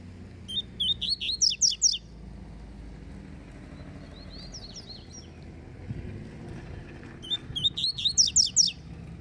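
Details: Falcone-style Double-collared seedeater in a singing dispute. Two loud bursts of rapid, sharp, buzzy notes, six to seven each, come about six seconds apart, with a softer high twitter between them.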